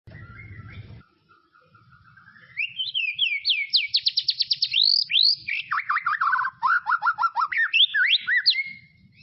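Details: White-rumped shama song from tropical forest. A soft low rumble at first, then quiet level whistled notes that climb into a rapid series of looping, slurred high whistles and descending swoops, with faint low knocking beneath.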